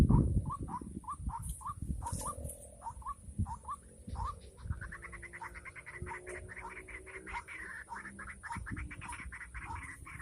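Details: Calling of a white-breasted waterhen lured for trapping in the rainy season: short hooked, upslurred notes repeated about twice a second, then a faster rattling run of harsh notes, with faint clatter and low rumble.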